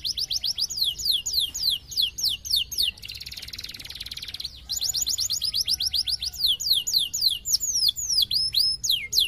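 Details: Canary song meant as a lure to draw responses from other canaries: fast trills of descending sweeping notes, a dense buzzy rattle in the middle, then more rapid slurred whistles and sharp downward sweeps.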